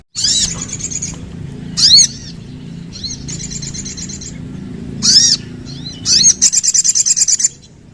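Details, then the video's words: Loud, ringing upslurred whistles from a sooty-headed bulbul alternate with softer high twittering, then a quick rattling trill, over a steady low hum. "Sogon Langsung Bunyi Dengar Ini!!!"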